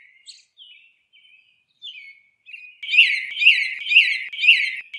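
Northern cardinal song: a few soft slurred whistles, then loud, clear down-slurred whistles repeated about twice a second.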